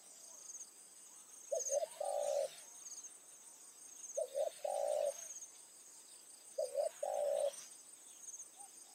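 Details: Spotted dove used as a decoy bird in the evening to lure wild doves. Three low cooing phrases, each two quick notes and then a longer rolling coo, about every two and a half seconds. A steady high insect buzz runs behind.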